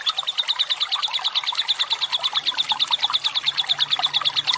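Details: Fighter lovebird giving a long ngekek, a rapid, even chatter of sharp high notes, about eight or nine per second, sustained through the whole stretch. The recording is used as master audio to prompt other lovebirds to sing.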